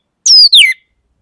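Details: Orange-headed thrush giving two quick, clear whistled notes, each sliding sharply downward, the second starting lower than the first, with no other sounds around.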